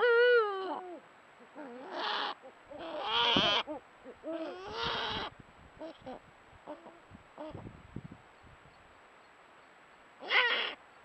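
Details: Female Eurasian eagle-owl of the Iberian subspecies hispanus, in breeding season, calling to her mate at night during courtship: hoarse, harmonic, wavering calls in separate bursts, some rising then falling, with quiet gaps between.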